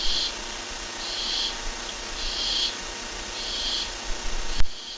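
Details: Barn owl on a nest cam making strange sounds: four airy, high hissing pulses evenly spaced about a second apart, set in constant low-pitched background noise, with a sharp click near the end.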